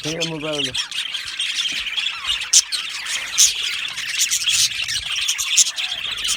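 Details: Budgie aviary colony, happy chirping birds: after a brief lower, harmonic squawk at the start, a steady blanket of high twittering and scattered sharp squeaks continues.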